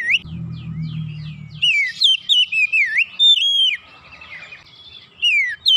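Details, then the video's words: Kacer (Oriental magpie-robin), silent until one lure, then singing gacor: a low hum fades as looping whistled notes rise and fall rapidly, a scratchy break, then more sliding whistles. "Kacer macet bunyi sekali pancing langsung semangat bunyi gacor"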